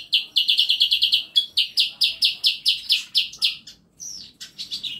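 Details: A bird in a home aviary of masteran birds repeats a clear, bright note in a quick even series, about five per second, slowing after a second, then a brief pause and a few looping whistles.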